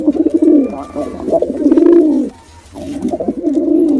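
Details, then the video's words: Pigeons, a male and female together, produce dense, rumbling coos in long sustained phrases, breaking off briefly before resuming, recorded indoors. "Male & Female Pigeon Combo Attacks Sound"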